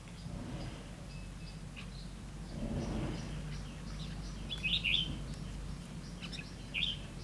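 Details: Red-whiskered bulbul used as a trap decoy, singing to lure rival birds, recorded 9 September 2016; a few bright warbled phrases near the end, over a steady low rumble and faint scattered notes.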